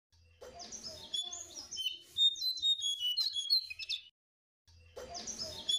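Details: Jongkangan song used to lure silent caged birds into singing: a fast, jumbled chatter of high chirps and whistles over a faint low hum, a short break, then the chatter resumes.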